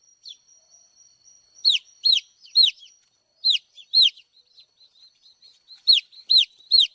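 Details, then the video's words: Cute baby chicks chirping: high, sharp peeps that drop quickly in pitch, coming in clusters of two or three with short gaps between and an otherwise quiet background. "cute baby chicks. chicks chirping sound"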